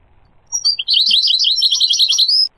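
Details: Goldfinch song mixing low and high pitches: a single burst of rapid, tinkling, high twitters and chirps lasting about two seconds, ending abruptly into quiet.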